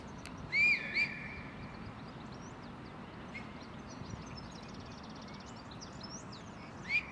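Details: Common starling singing in Tivoli landscape park, Ljubljana, on 26 April 2024: a few slurred, rising whistles with faint clicks and buzzy notes between them, over a low hum of distant traffic.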